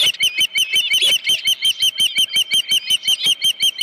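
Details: Osprey at the Dunrovin Ranch nest on 31 July 2018, morning, a headless fish present: a steady, rapid run of piercing, whistled chirps, about three each second, loud and even throughout.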